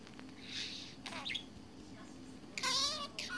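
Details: Budgerigar kept as a pet, deep in its own world, giving a hissy burst, a few squeaks, then a loud bubbling warble near the end, indoors.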